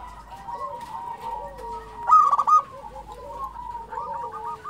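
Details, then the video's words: Local zebra dove in song: a steady, soft stream of cooing trills, then a single loud stuttering burst. Lower, sliding coos from another dove are heard nearby. "SUARA perkutut lokal gacor"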